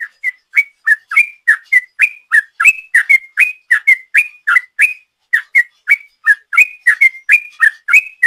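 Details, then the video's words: Sooty-headed bulbul delivering a long ropel song, used as a lure: a brisk chain of whistled notes, about three per second, swinging between higher flat tones and lower slurred ones, with one short gap. "Trucuk Gacor ropel panjang,suara ropel trucuk"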